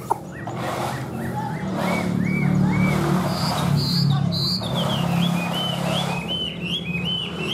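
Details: Tame captive Chinese hwamei singing short whistled notes repeated in runs, steady rising-falling slurs near mid pitch, partly over a loud low hum and rumbling background.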